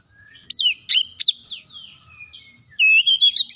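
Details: Magpie-robin song used as a lure to provoke other birds into singing: loud whistled phrases with sharp rising and falling slurs, a short burst, a pause, then a rapid run of bright notes.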